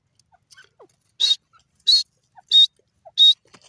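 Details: Grey francolin (irani teetar) calling in the morning: four loud, piercing high notes repeated evenly about every two-thirds of a second, with faint soft chirps between them.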